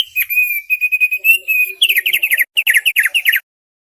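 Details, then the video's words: Thick-billed white-eye song used as a tutor recording for training birds: long clear whistled notes held steady, then rapid runs of sharp chattering, downslurred notes repeated in quick bursts, ending abruptly. "Masteran suara burung OPIOR paruh tebal"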